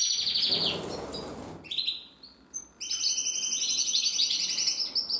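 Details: Gloster canary singing: high, rapid rolling trills held for over a second, broken by a noisy rustle and a short pause, then fresh bursts of fast, bright repeated notes.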